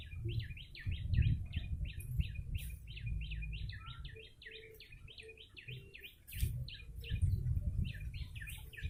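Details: A yellow-bellied prinia used for luring birds calls in a fast, steady string of bright, high, flicked notes, broken by a few sharp clicks, above a deep, fluctuating background rumble.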